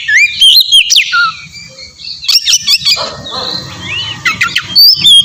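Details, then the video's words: Oriental magpie-robin song used as a lure to provoke a reply: varied clear whistles, rising and falling slurs and sharp chips in short phrases, with brief pauses between bursts. "suara pancingan burung kacer ampuh!! buat pancingan kacer bahan dijamin langsung nyaut"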